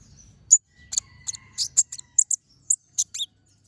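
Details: Brown-throated sunbird singing energetically in a chattering style with sharp 'shot' notes, used as a master recording for training other birds: a fast string of very high, clipped chips and short tinny trills with brief gaps between them.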